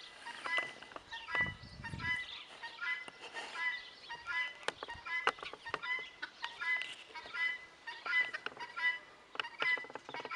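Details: Guineafowl giving harsh, rasping two-part calls that repeat roughly every three-quarters of a second in an uneven chorus, with a brief low thump near the start and scattered clicks.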